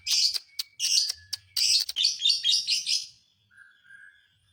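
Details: Lovebird song aimed at stirring up other lovebirds: a rapid, dense run of harsh chattering notes lasting about three seconds, fading into a soft trailing whistle.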